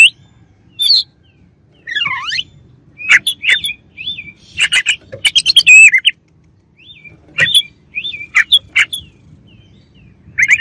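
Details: Oriental magpie-robin, singing to get rivals worked up: scattered sharp chips, a falling V-shaped sweep, then fast bursts of clicks and short curled whistles, repeated in clusters with gaps.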